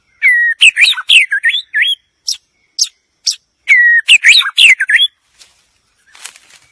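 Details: Song of a White-rumped shama in two rich phrases, each opening with a steady whistle and then tumbling through rapid varied notes, with single high chips between phrases and soft rustling at the end.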